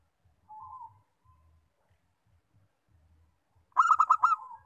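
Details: Song of a local zebra dove: a gentle introductory coo, a pause with soft low tapping, then a hurried cascade of six clear, vibrant coos.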